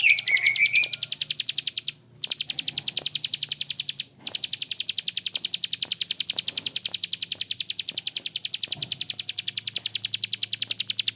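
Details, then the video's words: Bar-winged prinia in a long ngebren bout with a harsh voice: a long train of quick, high, clicking notes at about three and a half per second, broken by two short pauses, a brief whistle at the start. "PRENJAK KLIK GACOR ‼️Ngebren Panjang suara kasar"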